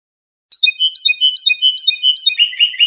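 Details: Iranian Lor European goldfinch, trained singer, recorded to tutor juvenile songbirds; liquid twittering phrases with bright notes dropping in pitch, repeated several times, ending in denser buzzy notes, quiet background.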